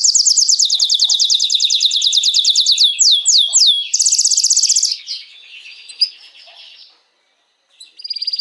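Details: Canary singing to stimulate females for mating, opening with a fast evenly spaced trill of rising notes, a few sweeping whistles, a higher pulsed burst, then softer warbling, a silent gap and a restart.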